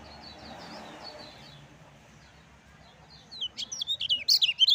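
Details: Caged Lemon-bellied white-eye singing the lively song used to rouse reluctant birds. Faint thin twitters at first, then a loud burst of sharp, falling chirps closes the last second and a half.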